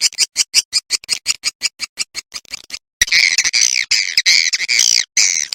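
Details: Lure sound for swiftlets, 'ratu birahi' roosting call: about three seconds of rapid, regular high chirps, a short pause, then dense continuous buzzy twittering with shrill trills.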